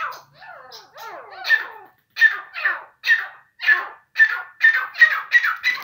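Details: Grey francolin (teetar) calling: a few soft, scratchy descending notes, then a run of loud, harsh, buzzy notes repeated roughly every half second, growing steadily louder and quicker toward the end; no other sounds.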